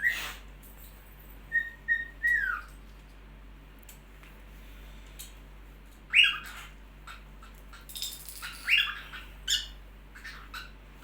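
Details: A happy cockatiel singing: it whistles short steady notes, then gives sharp rising chirps and squawky calls.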